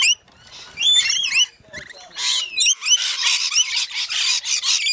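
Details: Rainbow lorikeets in a feeding frenzy at Mount Tamborine, Queensland, Australia: sharp rising screeches give way to a loud, harsh wash of overlapping squawks from many birds feeding together.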